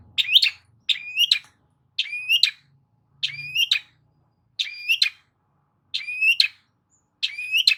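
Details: Long-tailed shrike song used to prompt a silent shrike. Seven compound phrases, each a scratchy burst sliding into a rising whistle with a harsh tail, spaced about a second apart. A faint low rumble runs underneath.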